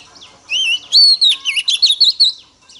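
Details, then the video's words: Female Oriental magpie-robin singing to stimulate a male: a loud run of clear whistled notes, slurred up and down, with a quick burst of five or six bright notes after a short opening phrase. "Choè than mái kích trống hay nhất"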